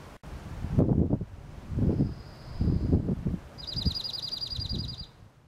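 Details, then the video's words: A faint thin note from a slate-colored dark-eyed junco comes first, then a loud, fast trill of evenly repeated high notes lasting about a second and a half, over bursts of low rustling. "Dark-eyed Junco(slate-colored) song"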